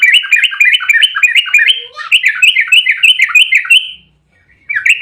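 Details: Agitated fighting song of a Yellow-vented bulbul, a tight ropel sequence played as a lure for other bulbuls: continuous fast warbling chatter of bright notes for four seconds, a brief pause, then chatter again.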